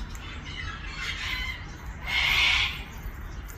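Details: Cockatoo making noise: a softer grating squawk followed by a loud, harsh, raspy screech lasting under a second, over steady low rumbling background noise.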